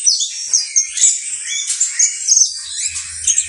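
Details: Saffron finch (Sicalis flaveola), locally canario basto criollo, pouring out rapid high chirps and sweeping whistled notes in a busy, unbroken phrase; faint hum near the end.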